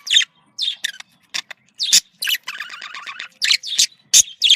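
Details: Pet budgerigars, female and male, in a breeding-stimulation recording: isolated sharp chirps and clicks with a short stretch of buzzy, harmonic chattering in the middle, then more separate squeaky notes.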